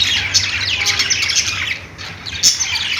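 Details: Budgies chattering almost nonstop in high, grating chirps and squawks that overlap thickly, easing briefly near the middle before a sharp louder squawk, over a faint low hum.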